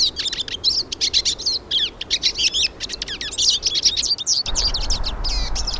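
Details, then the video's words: Several hooded siskins singing in the wild: fast, busy high twittering and chirping throughout, with a rougher low background noise growing louder in the last second or so. "VÁRIAS PINTASSILGO CANTANDO NA NATUREZA"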